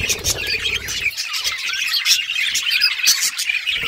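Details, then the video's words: Several budgerigars playing with each other, filling the air with a dense, continuous stream of bright, scratchy chirps and warbles; a low rumbling noise is audible during the first second. "Budgies playing with each other birds chirping sounds"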